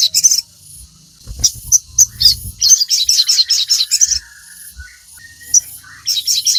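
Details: Crimson sunbird in vigorous song, played to train captive birds: bursts of rapid, high, sharp notes repeated in quick runs, separated by brief pauses and a soft buzzy phrase, with low rumbles.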